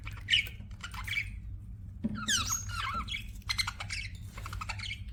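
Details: Pet budgies chatter in short bursts of harsh, twittering notes separated by brief pauses, one loud rapid squawky phrase in the middle, over a steady low background hum.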